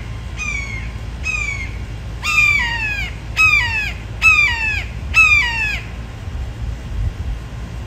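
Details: Hungry immature red-shouldered hawk, a fledgling still learning to hunt, calling: loud two-part screaming calls, each a high note dropping in pitch, repeated about once per second, six times in a row, over low steady background rumble.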